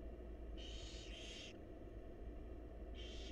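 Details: Barn owl chicks begging as their mother brings food in a wild nest box: two joined rasping hisses, then another after a pause, with a continuous low hum beneath.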